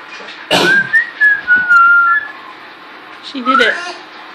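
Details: Pet female parrot giving some of her first whistles, indoors at home in Quebec, Canada: thin, clear whistled notes, sliding up then holding level, with a burst of human speech and laughter around them.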